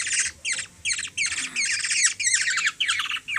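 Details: Rasping, buzzy begging squawks, roughly three a second in short bursts, from a hungry Black-naped Oriole (kilyawan) being fed by a three-year-old girl in the Philippines.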